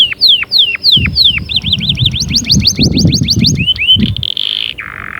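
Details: Canary song mixing falling slurred notes, a fast trill of rising loops and a sustained buzzy tone, with low thumping noise underneath during the middle of the phrase.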